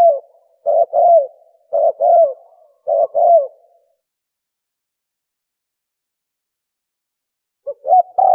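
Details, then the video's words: Spotted dove cooing played as a lure for hunting: three soft phrases of a brief note then a longer falling coo, followed by several seconds of silence before the next phrase begins. "Turtle dove, Suara Burung tekukur"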